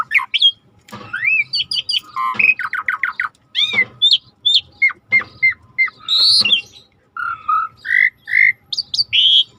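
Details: Starling singing in a training track made with river sounds, a rich medley of upslurred whistles, clipped chattering notes, repeated mellow fluty calls and buzzy squawks, delivered almost without a break.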